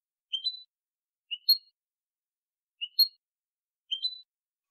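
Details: European goldfinch, clean recording from 2020: four short two-part phrases, each a low chip rising into a higher whistled note, spaced about a second apart in silence.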